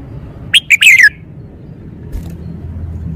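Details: Caged red-whiskered bulbul performing its song style, each note clear and stressed: one loud phrase of three quick whistled notes, the last sliding down in pitch, then quiet with a faint low rumble.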